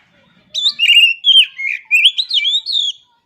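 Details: Oriental magpie-robin (kacer) singing continuously for nearly three seconds, recorded as a master for kacer training: melodious slurred whistles rising and dropping in quick succession, mixed with high thin chips, no other sounds.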